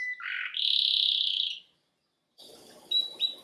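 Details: Canary singing: a low buzzy phrase rising into a long, loud, even trill near the top of its range, then a pause and quieter chirps with two sharp whistled notes.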